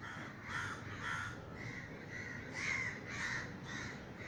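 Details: Crows disturbed by a neighbour's gunshot fly over a garden in Sri Lanka, calling with hoarse, drawn-out caws repeated roughly twice each second, several birds overlapping.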